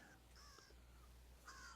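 An American crow gives harsh, nasal caws, a couple of short strident notes over under two seconds, heard thinly against a steady low hum.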